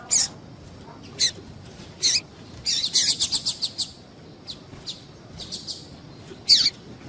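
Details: Female double-collared seedeater calling to excite males, used by breeders to warm up singing males for contests; sharp high chirps and short buzzy bursts in irregular clusters, with a quick run of rapid notes near the middle.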